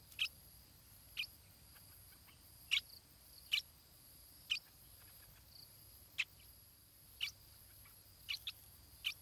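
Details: Nestling stripe-throated bulbul being fed, uttering sharp high squeaky chirps singly or in pairs every second or so, against quiet background hiss.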